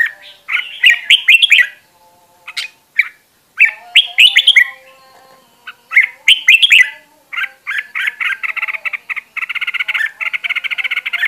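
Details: Red-whiskered bulbuls, decoy birds singing as a group for voice training; short bursts of sweet slurred whistles separated by brief pauses, ending in a fast, even run of rapid chattering pulses.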